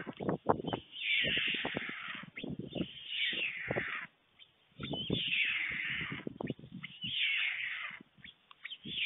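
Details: Nest webcam in Fohrde, Germany, 21 July 2019, early afternoon, as an adult male white stork feeds his two storklets: drawn-out, rasping high calls come in three long bursts, broken by short clattering knocks and brief silences.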